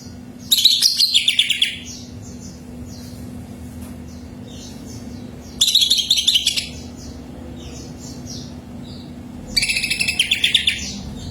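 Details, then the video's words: Greater green leafbird song played to prompt another kept leafbird into singing: three bursts of rapid, high, chattering chirps about a second long, spaced roughly four seconds apart, with faint whistled notes between and a steady low hum throughout. "SUARA BURUNG CUCAK IJO PH"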